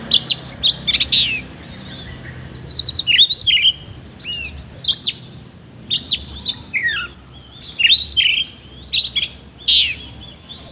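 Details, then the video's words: Oriental magpie-robin singing vigorously in the ngobra style, with rough 'isian kasar' fill phrases: loud, high whistled and sharply slurred notes, quick chirpy runs and ringing trills in bursts separated by short pauses. "BURUNG KACER GACOR NGOBRA ISIAN KASAR"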